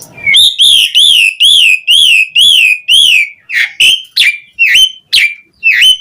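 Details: Asian pied starling in full lively song, used as a lure to prompt other starlings to sing; loud, clear whistled notes repeated roughly twice a second, the first run even arched whistles, then sharper rising and dipping notes.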